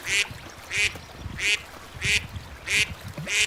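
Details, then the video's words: Beautiful little ducks quacking in a steady rhythm, six harsh, bright calls spaced roughly every 0.6 seconds over low background rustling. "صوت البط الصغير صوت البش بطوط جميلة"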